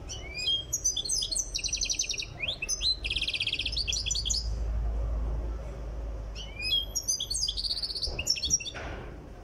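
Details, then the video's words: Goldfinch from Tiaret on its way to singing readiness: two phrases of quick tinkling notes and dense buzzy trills, separated by a pause of about two seconds, with a low hum beneath. "تغريد مقنين تيارت"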